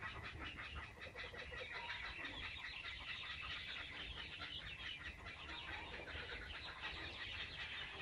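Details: Laughing kookaburra family in an Australian backyard. Usually one starts and at least one more joins in, giving a dense, continuous cackle of harsh, rapidly repeated chuckling notes over a low background hum.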